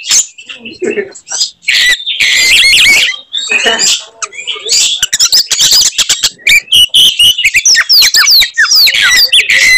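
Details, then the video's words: Provoking Oriental magpie-robin, singing its typical 'tembakan' shots to rile up other males: loud scratchy bursts give way to fast clicks and a run of bright, sliding whistles. "kacer gacor tarung bongkar materi tembakan khas bikin kacer lain NGAMUK dan EMOSI"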